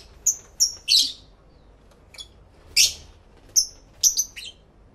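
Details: Several pet lovebirds chattering together in a stereo two-microphone recording: high, piercing chirps and short whistles scattered through the clip, some doubled, separated by silent gaps.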